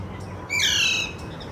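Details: Single harsh, buzzy screech of an Alexandrine parakeet in Kolkata, India, about half a second long and slightly falling at the end, set against faint background hum.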